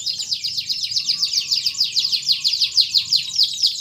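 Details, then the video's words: Canary in vigorous song, used to coax stalled or lazy singers and to tutor young canaries: a continuous fast, rolling, buzzy trill of high notes pulsing about three times a second. "PANCINGAN BURUNG KENARI GACOR ADA JEDA"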